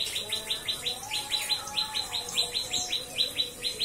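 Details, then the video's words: A White-rumped shama pours out a fast run of bright, sharply falling chirps, three or four a second, with a faint lower hum beneath. "Cikris Gacorr"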